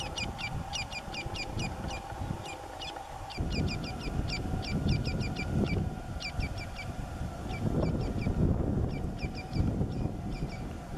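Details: Red-legged seriema (Cariama cristata) on a cerrado trail near Cruzeiro dos Peixotos, Uberlândia, MG, screams in runs of sharp, high yelping bursts while caracaras clash with it and two fly overhead, over a steady low wind rumble.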